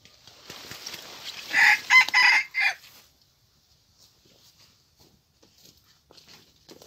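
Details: A young red junglefowl with a spotted tail, a decoy bird on its first outing at a trap, gives one brief, hoarse crow of four clipped syllables, over in about a second, then near silence with faint rustling.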